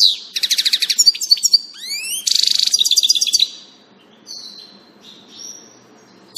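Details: European goldfinch on 19 June 2018: rapid tinkling twitters and rising swept whistles, a buzzy trill, then the song fades into a few soft, thin notes and a final click.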